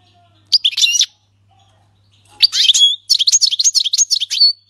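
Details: Syrian goldfinch performing the 'king's language' song without mistakes: a brief twittered phrase, a pause, then a longer run of rapid, metallic, liquid notes repeated in quick succession, with a faint low hum early on.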